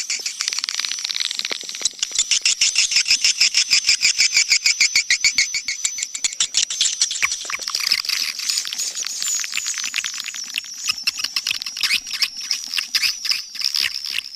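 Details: Swiftlet attraction call from Kampar, Riau: a long run of rapid regular clicks about four per second over high twittering, later loosening into irregular clicks and thin chirps.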